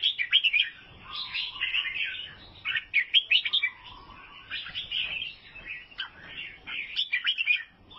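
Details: Albino sooty-headed bulbul of Vietnam giving repeated chattering bursts of sharp, slurred chirps, each burst followed by a quieter low whistle and short pauses.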